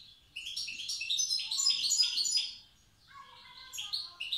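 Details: Tiaret wild goldfinch in the old song style delivers a quick cascade of tinkling, rising and falling twitters, pauses briefly, then adds softer lower notes and bright chirps.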